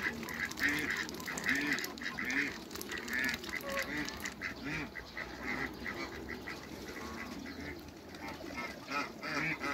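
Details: In a backyard, a group of hybrid Cayuga and Muscovy ducks meets, giving a continuous jumble of raspy quacks and honking notes, many overlapping, louder at the start and fading slightly toward the end.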